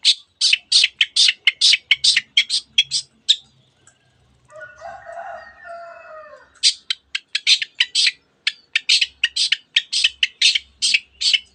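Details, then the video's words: Long-tailed shrike singing with canary imitations and other birds' phrases learned from tutor recordings: rapid bursts of sharp, high chattering notes, interrupted midway by a lower, harmonic crowing-like phrase lasting about two seconds, then more quick bright notes. "cendet gacor nembak nembak rapat isian kenari dan banyak jenis burung yang masuk masteran"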